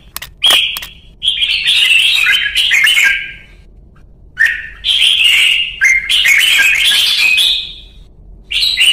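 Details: Red-whiskered bulbul (chào mào) singing a luyện ché training song from Vietnam: loud clear whistled phrases with buzzy, chattering notes, delivered in bursts of one to two seconds separated by short pauses.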